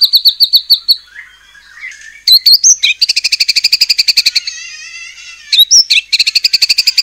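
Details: White-rumped shama singing to provoke other shamas into song: fast ticking note series, a low rising whistle, then long rattling trills of evenly spaced notes broken by sharp whistled phrases.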